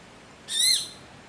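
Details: A small woodpecker in the mangroves at Clifton Hill beach, Point Fortin, Trinidad, gives its distinctive call: one short, high, slightly arched chirp with a rich, ringing tone over faint background hiss.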